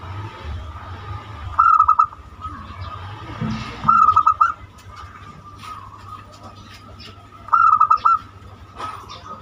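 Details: Zebra dove singing in the banyumili style, a unique voice used to prompt other birds to sing; three short trilled coo bursts about two to three seconds apart over a constant tone and low rumble.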